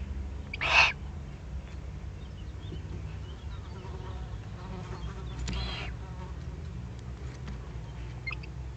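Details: Eurasian eagle-owl recorded below its nest site in the Eifel on 31 May 2020; one loud, harsh rasping hiss lasting about half a second, then a fainter second hiss near the end, over a steady low rumble.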